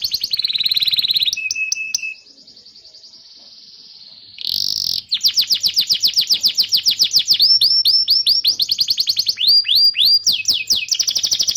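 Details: Canary song played to teach young canaries and encourage silent birds: buzzy trills, a low steady tone, a sharp burst, then rapid repeated rolls and sweeping whistled notes continuing for several seconds.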